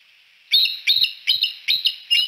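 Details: At Decorah at sunset, with three bald eagles on the Y branch, a fast run of five shrill, squeaky chirps is given about three per second, each note bright and high.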